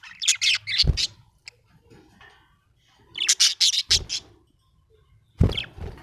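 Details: Happy budgerigar chirps in rapid bright bursts, three lively clusters of high notes, punctuated by loud knocking thuds.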